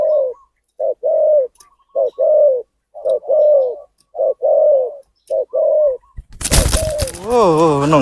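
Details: Wild spotted dove cooing at a trapping site in Phrae, Thailand, lured by a decoy bird; steady low hooting coos in short paired phrases for six seconds, then a sudden loud burst of handling noise and a voice.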